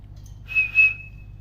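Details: Parrot chirping: one steady high whistled tone that holds level, with two short breathy bursts over it, then fades out.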